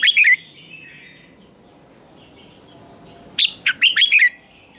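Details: Red-whiskered bulbul singing in the morning in a singing contest: a brief burst of warbled notes at the start, then a quick run of five sliding, whistled phrases near the end, with faint chirps from other birds and a steady high tone between.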